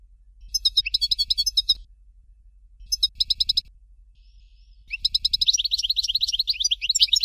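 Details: European goldfinch singing Dalya, Fort de l'Eau style: two short bursts of quick, tinkling repeated notes separated by pauses, then a longer continuous phrase of rapid chattering twitters and buzzy trills.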